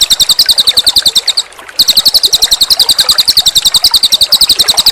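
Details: Cililin bird in a master recording: continuous rapid, high, buzzy chirps at a steady beat, broken once by a brief pause, with faint water in the background.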